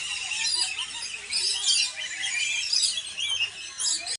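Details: Colourful lories at a safari park in Cebu, Philippines, giving a steady stream of piercing, squealing chirps from many birds at once, rising and falling in loud bursts about once a second.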